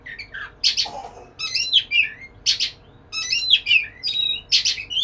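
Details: Oriental magpie-robin (kacer) singing energetically while courting a female: bursts of varied, sharp, chirpy phrases with quick whistled slurs, separated by short pauses, in a quiet setting.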